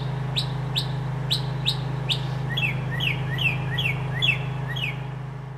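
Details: Northern mockingbird in a backyard, filmed by handheld camcorder at roughly 80-100 feet: crisp upswept notes repeated about five times, then a switch to a different slurred two-part phrase repeated around seven times, with a constant low background hum.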